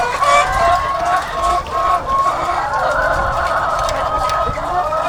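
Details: Thousands of egg-laying hens on a farm in a dense, unbroken chorus of overlapping nasal, mid-pitched calls and cackles, with no single bird standing out and a brief dip in volume partway through.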